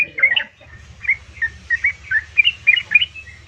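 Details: Yellow-vented bulbul female calling the male: a burst of mixed chirps opens, then after a brief pause come separate slurred, bubbly notes every few tenths of a second, over a low steady hum.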